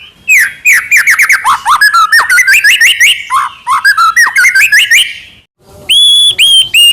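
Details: Medan-type white-rumped shama singing a lure song for caged birds: a fast tumbling stream of slurred whistles and trills, a short silence, then clear, ringing, level whistles.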